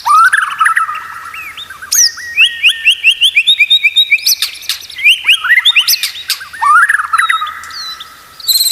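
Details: White-rumped shama singing for a master recording meant to train other shamas: rich whistled phrases, a fast rhythmic string of rising notes, then tumbling chirps and a final clear whistled series.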